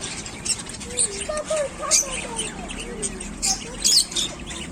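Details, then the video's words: Pet African lovebirds give shrill, sharp squeaks in short bursts every second or so, over a woman's voice talking steadily in the background. "African Love Birds Chirping Sounds"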